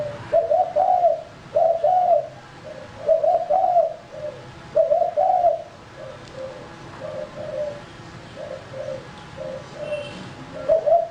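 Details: Decoy male spotted dove calling: several loud rolling coo phrases early, then a run of quieter, clipped coos before a final louder phrase, steady mellow pitch throughout.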